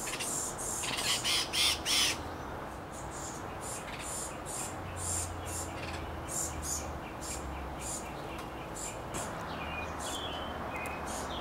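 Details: Hooded Oriole family in summer, an adult foraging in a sycamore and bringing food to a noisy fledgling; a few loud, harsh bursts open the recording, then rapid faint chips repeat over constant background hiss.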